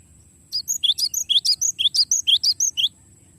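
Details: Cinereous tit giving a long rolling song for tutoring songbirds: some sixteen crisp notes over two and a half seconds at a steady rapid pace, bright chips interleaved with lower slurred whistles, over a soft low drone.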